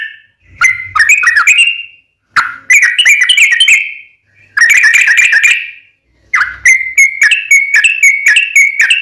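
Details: Sooty-headed bulbul in full song, used as a lure to make other bulbuls answer: bursts of bubbly, chattering whistled notes around a steady pitch, in four phrases of one to two seconds separated by short pauses.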